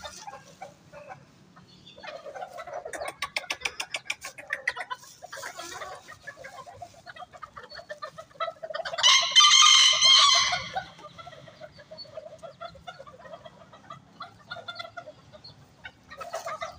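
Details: Bantam chickens flock together at feeding time at a workshop in Bandung, clucking in quick, busy bursts, broken by one loud, strained crow midway through.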